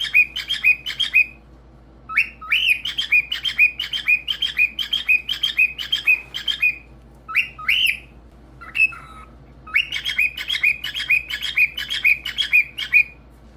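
A cockatiel sings rapid runs of bright, warbling whistles, pausing briefly between bursts.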